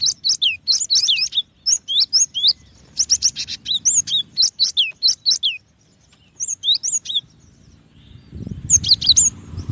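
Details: Cinereous tit (gelatik batu) singing repeated high whistled phrases, each note dropping sharply in pitch, in steady runs with short pauses; a low rumbling noise rises near the end.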